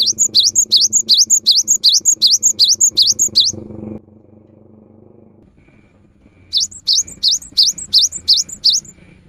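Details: Cinereous tit in full song, used as a lure in the rainy season: rapid strings of sharp two-part notes, a dipping-rising whistle followed by a thinner high one, about three per second, pausing mid-way before resuming.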